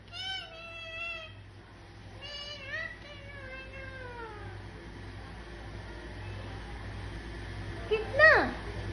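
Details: A talking pet Indian ringneck (rose-ringed parakeet) gives three drawn-out, speech-like phrases that slide downward, then a brief shrill screech near the end over a low steady hum.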